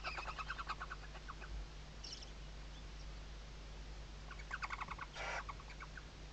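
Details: Western barn owl nest in Riet Vell Nature Reserve, Ebro Delta, Spain, 2023 season, chicks tucked under the mother's wings; quick pulsed chattering runs alternate with a brief harsh hissing burst, steady hum beneath.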